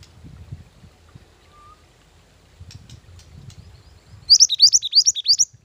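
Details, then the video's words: A Mantenan gunung bird, recorded as a lure and master song, gives a brief burst of five or six high, sharp upslurred notes near the end, following quiet low background noise and a few faint clicks. "Mantenan Gunung Pikat Gacor"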